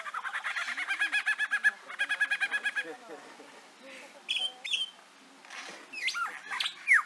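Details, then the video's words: A lyrebird, whose mimicry serves as a courtship signal, runs through borrowed sounds: rapid repeated metallic chatter in two bursts, then scattered whistles, squawks and sharp rising notes. "Listen to this lyrebird mimic a bunch of sounds."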